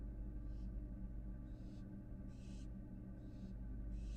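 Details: Short breathy hisses at uneven intervals, some faint and some stronger, from an American barn owl fledgling revisiting its Florida nest box on a live camera, with steady low background hum.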